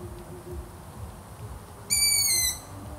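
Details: Single shrill, squeaky long-eared owl call near the end, about half a second long and gently falling in pitch, after a stretch of quiet low background noise.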